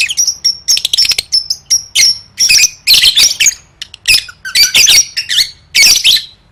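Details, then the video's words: Lovebird song as training for singing competitions: continuous rapid sequence of high, piercing squeaks and trills, closely spaced bursts with almost no pause, slightly buzzy texture. "Suara Burung Lovebird III Latihan Gacor Gantang Siap Juara"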